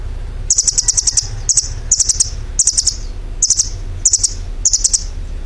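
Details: Unnamed songbird singing in bursts of rapid, high, sharp chirps, about seven clusters over five seconds, each a quick run of bright tweets, with steady low background hum.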